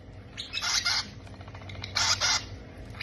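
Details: Parrot babies at feeding time make two pairs of hoarse, grating squawks about a second apart, with softer scratchy sounds between them and a low background hum.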